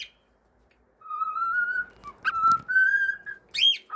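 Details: Whistled melody from a pet cockatiel: a long, pure note rising gently, a brief break, then more sustained tones and a sharp upward flourish at the close.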